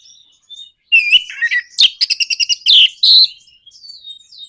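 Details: Orange-headed thrush song meant to spur other birds into singing: a loud run of rapid chattering notes mixed with slurred whistles and buzzy phrases, fading into soft high warbling.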